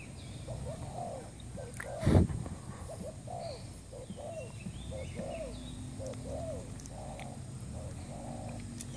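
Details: Lure call of a newly kept spotted dove for trapping: repeated husky coos in even groups, broken near the start by a loud thump, with steady low rumble and scattered faint bird chirps behind.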